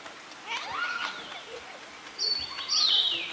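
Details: Liocichla giving loud, high, whistled phrases in the second half: a sustained bright note that slides downward, repeated once, preceded by fainter, lower chirping notes from other birds in an outdoor setting.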